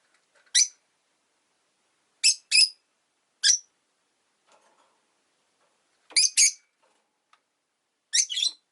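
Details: Caged Rosy-faced lovebirds by a window utter scattered sharp high squeaks, singly and in pairs, over several seconds with faint low background sounds between them.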